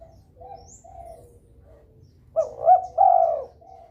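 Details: A spotted dove in breeding mood, calling to draw rivals into calling, gives faint distant coos, then one loud phrase of two quick rising notes ending in a long, rough, falling coo.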